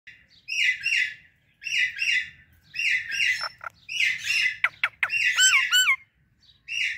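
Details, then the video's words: Indian ringneck and Alexandrine parrot pair chirping loudly in the morning: harsh, buzzy paired squawks repeated about once a second, then a run of quick sharp notes and looping whistled calls near the end. "Parrot Morning Sounds"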